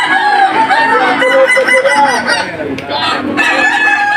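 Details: Kukuak Balenggek rooster crowing in the Boko class final of a 2025 contest in Sawahlunto, West Sumatra, a breed known for a stepped crow of at least five levels. Loud harmonic crows fall in distinct steps, overlapped by other roosters and arena chatter.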